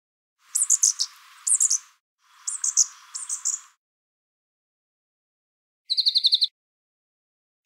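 A brown thornbill mimics other birds in high, thin phrases: two pairs of sharp, chattering bursts, then a quick rattle of about eight bright notes. No other sounds.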